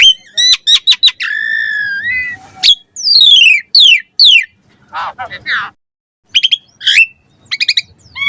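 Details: Asian pied starling master song for caged-bird training: clipped chips, a level whistled note, several falling slurs, a few rough lower notes and scattered high chirps with short pauses.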